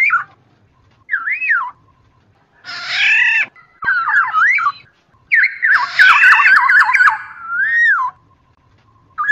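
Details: Black-naped oriole lure call for trapping: fluty looping whistles alternating with harsh nasal screeches, a rapid cluster of whistled notes mixed with rasping sound, then a final drawn-out whistle.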